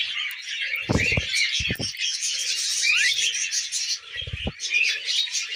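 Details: Pet budgerigars eating millet, their continuous scratchy warbling chatter broken by a few loud low thumps and some sliding whistled notes.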